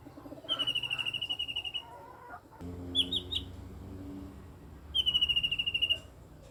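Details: An eight-year-old blue-winged leafbird making strange sounds: a fast run of about a dozen harsh, evenly spaced notes on a steady pitch, a short clipped phrase after a pause, then another matching run, over low background hum.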